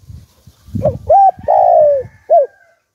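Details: Spotted dove singing the Hạp Bổi voice used as a lure for wild doves: one phrase of two short hooked coos, a long sliding coo and a final clipped note, with low rumble and a faint hum behind.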